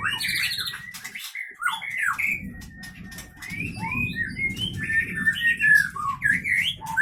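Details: Captive Aceh Leuser White-rumped shama, a sharp-voiced mimic noted for long breath; separated whistled slurs and a long drawn steady note, then quick twittering phrases, with low background rumble.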